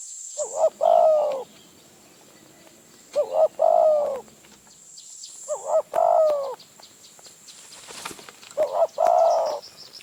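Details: Wild spotted dove from Phrae, Thailand, lured toward a decoy bird, giving low, hollow, rolling coo phrases about every two and a half seconds, four phrases in all, over a steady high insect whine.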